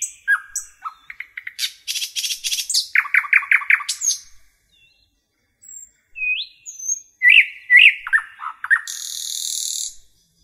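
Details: Forest nightingale delivering varied song: fluty notes, a buzzy rattle, rapid chirped series, a pause with scattered whistles, then loud rolling notes and a long high buzzy trill.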